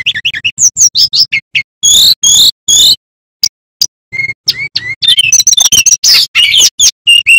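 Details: Loud, lively song of a male bamboo flycatcher, used as a training master for young magpie robins: varied high whistles and chirps, buzzy rasping bursts, a brief pause, then a rapid, dense warbling stream over a faint low hum.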